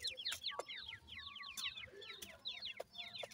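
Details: Grey francolin chicks peeping in a busy, overlapping chorus of thin, high, falling notes, punctuated by brief sharp clicks over a faint low rumble.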